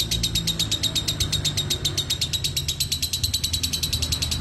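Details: Lovebird ngekek, an unbroken rattle of quick, piercing high notes repeated at a brisk steady rhythm for over four seconds, with low background rumble.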